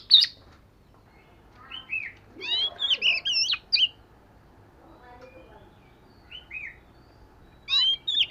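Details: Fish-scale Oriental magpie-robin in daily song practice, heard more softly, with short rising whistles and a cluster of jumbled warbled notes, separated by quiet gaps, then a final bright burst of whistles.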